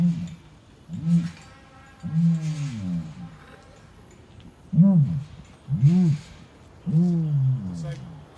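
An ostrich gives deep, hollow, arching hoots from the throat, six of them over eight seconds at an uneven pace, with people's voices faintly in the background.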